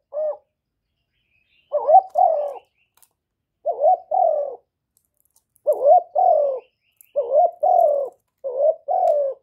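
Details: Spotted dove used as a decoy bird, cooing in the called, urging and accompanying styles. Paired low hooting notes, a wavering first note and then a longer falling one, repeat about every two seconds against silence.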